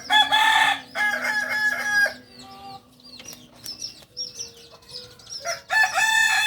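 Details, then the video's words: A Kokok Balenggek chicken, Solok's native singing breed from a farm in Solok city, crows for about two seconds in pulsing stepped segments, quiet bird chirps fill the gap, and a second crow begins near the end. "Ayam kukuak balenggek ayam penyanyi asli solok"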